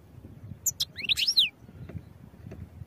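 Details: European goldfinch singing for training purposes: a few sharp high clicks, then a quick bright twitter of descending slurred notes lasting half a second, followed by faint background hum.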